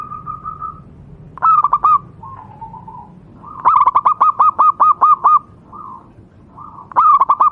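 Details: Wild-type local zebra dove song meant for training captive doves; soft sustained coos alternate with rapid stuttering bursts, one long run of about ten looping notes, repeated rolling phrases throughout.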